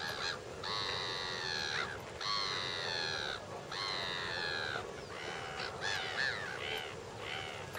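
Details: A lesser flamingo (Phoeniconaias minor) flock at Lake Nakuru, Kenya, summer 2011, calls in loud, nasal, goose-like honks that overlap and run together, with a steady murmur of more birds behind.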